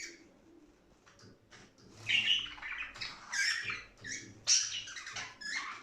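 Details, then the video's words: Budgerigars chattering, meant to excite birds into singing and breeding; quiet scattered chirps open, then louder buzzy warbles and squeaky notes come in uneven bursts. "صوت تغريد لتنشيط طائر البادجي علي اللعب والهيجان والتغريد والتزاوج"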